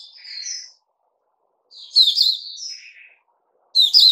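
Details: Puteh Raja bulbul in a cage giving scattered song phrases: a soft slurred twitter, a pause, a louder warbled chirp sequence, then a sharp loud burst at the close.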